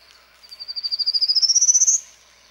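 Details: Territorial male Prairie Warbler in Ontario, a rare bird there, singing one Sunday morning to attract a mate: about twenty fast buzzy notes rising steadily in pitch and growing louder over one and a half seconds, with faint insects behind.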